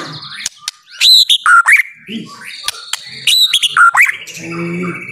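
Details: White-rumped shama (murai batu) song used to provoke a stalled bird into singing: sudden bright whistles and slurred notes in clustered bursts, with quieter gaps and some low background murmur.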